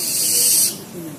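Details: Barn owl (Tyto alba) giving one harsh, hissing screech of under a second, rough and high-pitched with no clear tone, which then stops abruptly, leaving quiet background with a faint low murmur.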